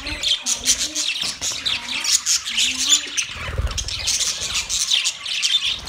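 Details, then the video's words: Budgerigars during mating squawk and warble in a rapid, harsh stream, with a low wavering hum in the first three seconds. "Smart and Funny Budgies Parrot matting Parrot talking video compilation ( 2023) Parrot mating sound"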